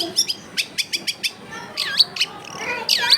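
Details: Long-tailed shrike singing clearly: a string of crisp chirps about four per second, then rising and falling looping whistles that turn into fuller warbling at the end.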